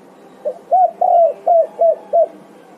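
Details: Spotted dove (tekukur) answering and calling its companions: a series of six mellow coos, the middle one long and drawn out, with short hooted notes before and after over about two seconds, in a quiet setting.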